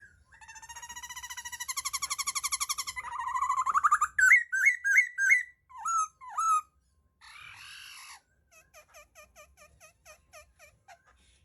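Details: Laughingthrush singing a varied sequence: a long run of rapid buzzy trilled notes, then loud rising whistled phrases repeated in quick succession, a brief harsh rattle, and a closing series of soft, quick downslurred chirps.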